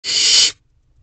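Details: Barn owl owlet in nest box C on the evening of 7 May 2023 at 8:39 pm, wild, while swallowing a rabbit whole; a single harsh, breathy hiss lasting about half a second, then silence.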